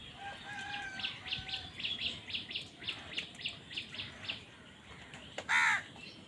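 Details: Crow fighting for food: a single loud, harsh, harmonic caw bursts out near the end, after a long run of rapid, evenly spaced high chirps from other birds and a few faint tonal notes.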